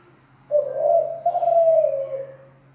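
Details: Zebra dove with one long, soft, level coo, smooth and hollow, swelling then fading over about two seconds against a faint steady hum.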